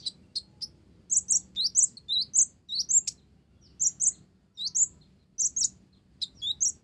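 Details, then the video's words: Energetic olive-backed sunbird song laced with Java sparrow imitation: clusters of very high, squeaky, slurred notes delivered in short bursts with brief pauses between, over a quiet low hum. "Konin Blorok Gacor isian Gelatik"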